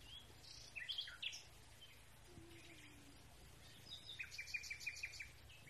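Common nightingale singing at a distance: a brief chirping phrase, then a rapid run of about six repeated sharp notes, over a steady low hum.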